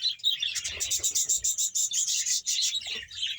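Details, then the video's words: Loud, close chorus from a budgerigar colony of around 100 pairs in Bahawalpur: pulsing, scratchy chirps repeated in quick rhythmic bursts, several birds calling at once. "100 pear budges parrot colony# bahawalpur budges sound"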